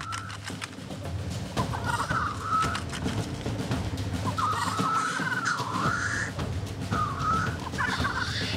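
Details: Male black grouse at a traditional spring lek in a large wetland in the Bohemian Forest, competing for dominance to impress females: a steady low bubbling murmur with wavering, rising whistled phrases every couple of seconds, under a narrating voice.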